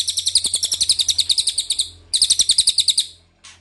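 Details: Lure call of the ashy tailorbird used to make birds answer: two loud, rapid, buzzy trills of high pulses, about two seconds and one second long, then a short note.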